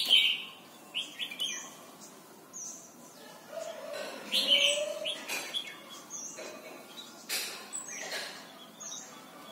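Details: Red-whiskered bulbul from Thailand, song meant for training young birds to sing: short bright whistled phrases with falling slurred notes, scattered through the clip, over a faint background hiss and lower murmuring sounds.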